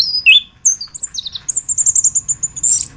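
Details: Anis kembang, the chestnut-capped thrush, in a master recording for training songbirds: a few sharp whistles, then a long, very high, thin trill of rapidly repeated notes lasting about a second and a half. No other sounds.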